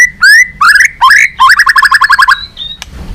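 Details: Murai batu (white-rumped shama) balak 6 song used as a bird-catching lure: a long rising whistle, two rising chirpy phrases, then a rapid trill of about a dozen notes ending in a thin high whistle.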